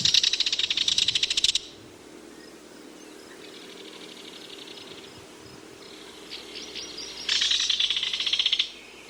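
A Belted kingfisher gives two loud, dry, rapid rattles of about a second and a half each, separated by a quieter, softer stretch of chatter.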